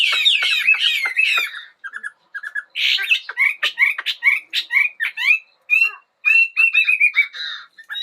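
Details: Bird song heard in the morning: quick descending chirps, then scattered sharp clicks and short rising notes, ending in a run of fast bright trills.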